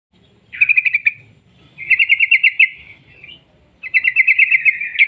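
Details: Sooty-headed bulbul, singing vigorously in a long rolling trill style, played as a lure to make other bulbuls sing: three bursts of rapid, evenly pulsed chattering notes near one pitch, separated by short pauses, with faint low rumble beneath.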